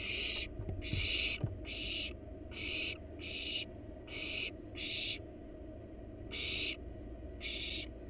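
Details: Barn owl nestlings in a wild nest box while the parents deliver a rat: about nine rasping, breathy hisses in quick irregular succession, with faint low knocks early on and a steady background hum.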